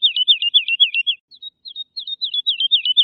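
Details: Woodlark song: a steady run of clear, liquid, down-slurred notes at about four per second, a brief break of softer notes, then the series resumes. Background is clean, with no other sounds.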